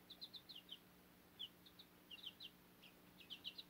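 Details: High, clipped peeps from young backyard chickens beside their Cochin mother hen, feeding on fodder; chirps come in quick groups of two to four, with a short lull midway.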